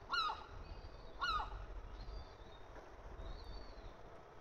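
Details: Young seagulls being fed by their mother: two loud, harsh falling calls about a second apart, with thin high whistled peeps drawn out between them, over steady wind rumble.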